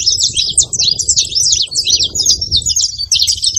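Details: Saffron finch calling noisily, a steady stream of quick high-pitched chirps and twittering notes running without a break over a soft low hum.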